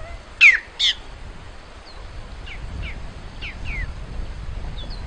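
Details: Great-tailed grackle (maria-mulata) singing: two loud, harsh rasping bursts, then a run of thin, falling whistled notes, over a low rumble of background noise.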